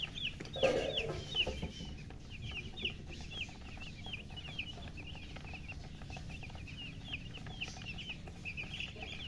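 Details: Freshly hatched chicks calling: a busy stream of high, piercing peeps, roughly eighty per minute, uneven in rhythm, after a brief louder rustle at the start.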